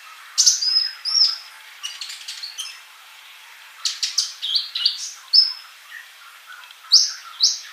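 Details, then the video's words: Kolibri sunbird singing for masteran: scattered high squeaky chirps and short slurred notes with a quiet gap in the middle, then quick clusters of piercing twitters. "MASTERAN UNTUK BURUNG COLIBRI GACOR"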